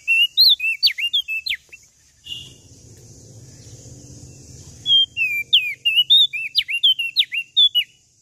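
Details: Common tailorbird from Lombok in full, lively song: bright whistled notes with sharp downward slurs, rapid and varied, broken midway by a low rumbling noise before the whistles resume.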